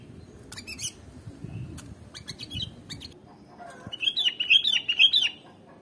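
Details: Sooty-headed bulbul (kutilang) sound meant to lure birds: scattered clicks and faint notes, then a rhythmic string of bright, bouncing whistles lasting over a second near the end.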